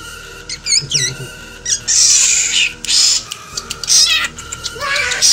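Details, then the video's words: Aggressive black drongo imitating the calls of an eagle and a cat: a string of varied notes, including wavering cat-like mews, sliding whistles and harsh, hissing bursts, separated by short pauses. "Srigunting Hitam Tiru SUara Rajawali Dan Kucing"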